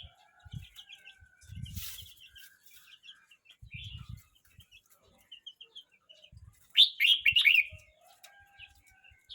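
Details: Red-whiskered bulbul of 12 months 29 days sings a single loud, rapid bubbly whistled phrase late on, after a stretch of faint chirps, thumps and rustling.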